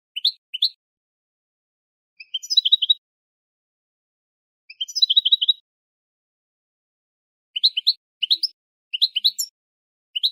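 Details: Twittering of a goldfinch crossed with a linnet, used to encourage other birds to sing: paired high tweets, then quick rattled bursts of sharp chirps. Further doubled and tripled notes follow in an irregular rhythm against a silent background.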